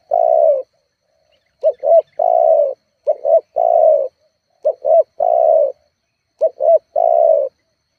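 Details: A spotted dove's lure call for provoking rivals: paired short hoots each followed by a long, drawn, gently falling coo, repeated four times at steady intervals of about one and a half seconds.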